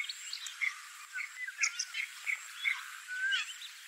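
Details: At a fishing pond in Malim Nawar, Perak, Malaysia, on 10 January 2021, bank swallows give short, dry chirps at a quick, uneven pace, several overlapping. A brief clear rising whistle from another bird comes near the end.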